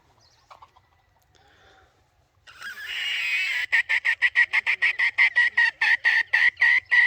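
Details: Red junglefowl call from a decoy bird set to draw in wild junglefowl: after a rough rising burst, quick staccato clucks pulse about three times a second, loud and steady, running to the end.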